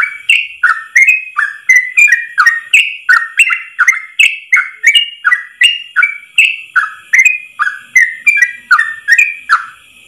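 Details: Yellow-vented bulbul song on a tutor recording meant for training other bulbuls, one long unbroken phrase: rapid bubbly whistled notes, dipping and rising, repeated about three times a second with no pause, on a clean background.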